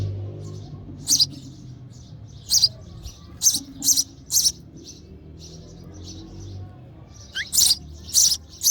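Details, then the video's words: A hungry sparrow chick chirps for its mother in the nest during feeding: bright, high chirps in uneven clusters with fainter chirps between them and a low hum underneath. "Hungry Baby Sparrow: Sparrow Mother Feeding Their Chick in The Nest With Baby Sparrow Chirping Sound"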